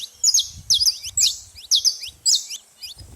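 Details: Saffron finch making a lot of noise at a feeding spot: sharp, high chirps dropping in pitch, delivered in short bursts about every half second, with faint low rumbling beneath.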